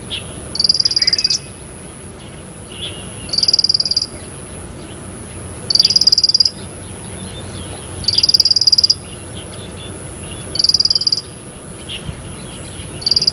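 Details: Bar-winged prinia in lively song, delivering six brisk high trills of rapid ticking notes, each burst under a second, spaced about every two to two and a half seconds, with a constant thin high tone in the background.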